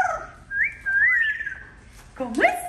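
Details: Pet parrot greeting its owner as she comes home: a clear whistled phrase of sliding, rising and falling notes, followed by a brief harsher upward-swooping call, indoors with faint background noise.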